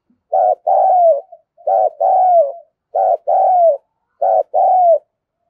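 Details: Spotted dove giving 'urging' and 'calling' coos to excite other doves: four evenly spaced phrases, each a short note followed by a longer, drawn-out, slightly falling coo. The background is quiet.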